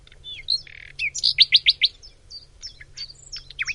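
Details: Common nightingale singing in Macedonia: varied phrases of sharp whistles, rapid pulsed notes repeated in a quick series, and downslurred chirps, with a steady low hum beneath.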